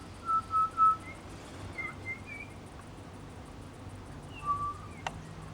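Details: Pied butcherbird mimicking other birds at a bird sanctuary: three loud, steady, flute-like whistles in quick succession, then softer scattered whistles and one sharp click, with quiet background hiss.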